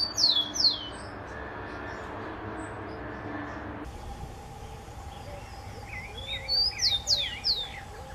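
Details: Rufous-collared sparrow phrases of high, steeply falling slurred whistles open and close the recording, with a cut midway and other lower, softer bird notes twittering in between.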